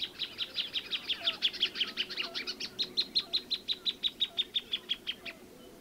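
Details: Plain thornbird singing a long, fast string of clipped high notes, at first chattering and uneven, then settling into an even, steady series that holds the same pitch before ending abruptly.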